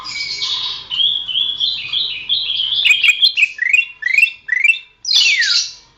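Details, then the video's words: Greater green leafbird song used for training songbirds: a rambling warble of whistled notes that breaks into repeated sharp downslurs, closing with a loud descending sweep. "masteran suara burung cucak ijo"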